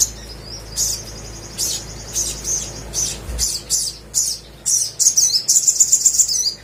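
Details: Energetic crimson sunbird song meant to coax silent birds into singing: high, piercing chirp notes about twice a second, ending in a quick run of clear ringing pips, with a faint steady background hum.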